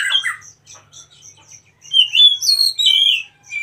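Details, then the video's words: Oriental magpie-robin, a wild bird used as a song master: a short burry phrase, scattered soft high notes, then a loud run of sliding, rising whistles. "KACER MACET TOTAL dan SETRES pasti akan PULIH dan NYAUT dengan dimasteri KACER ALAM ini"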